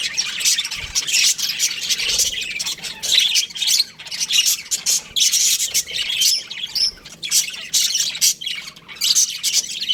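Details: Many young budgerigars in an aviary twittering and squawking continuously, a dense scratchy chorus of overlapping chirps throughout.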